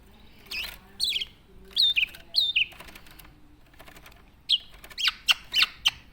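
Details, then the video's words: ['Tame Javan black-naped oriole making scattered sharp, downslurred notes over a low rustling background, with a quick cluster of short calls near the end.'] "BURUNG KEPODANG JAWA JINAK & GACOR"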